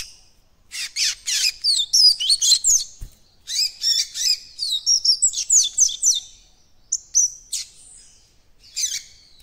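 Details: High, scratchy twittering from a young coleiro baiano seedeater working toward its encarte song, with quick clustered chirps in uneven runs and a few isolated whistled notes near the end.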